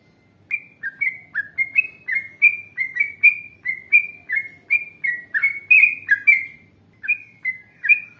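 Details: Yellow-vented bulbul giving long, energetic wild-style song meant as a lure for other bulbuls: dense run of clear, rolling whistled notes, some paired, pouring out continuously for about eight seconds.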